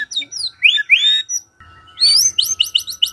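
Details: ['White-rumped shama song played in the morning to provoke quiet shamas into answering: high, bright whistled phrases, then a rapid burst of repeated rising notes, with a steady faint hum underneath.']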